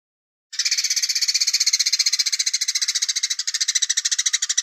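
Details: Velvet-fronted nuthatch (pelatuk beras) in the Cigun Gereja song style, known for pauses and far-carrying voice: after half a second of silence, an unbroken rapid trill of high, rattling notes runs for about four seconds.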